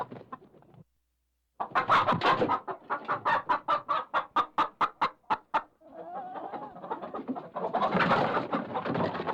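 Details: Chicken being caught inside a coop: after a short silence, a series of about a dozen sharp, evenly spaced clucks, then a drawn-out wavering squawk and a loud burst of frantic screeching with flapping.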